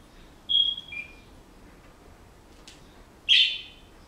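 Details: Household Senegal parrot practising a whistled song it is learning: a clear level whistle, a lower falling note, then after a pause a loud harsh chirp against soft room noise.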